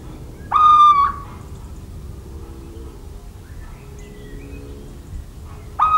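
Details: In rural central France, 17 March 2019, a little owl gives a loud, mewing whistled note, then a long pause with faint distant bird chirps before the next note begins at the very end.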